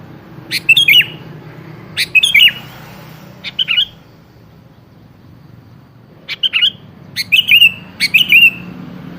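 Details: Sooty-headed bulbul song used as a lure to draw a reply from a bird that rarely sings: short bubbly whistled phrases of three or four notes around the upper-middle range, given in bursts about every one to two seconds, faint low hum beneath.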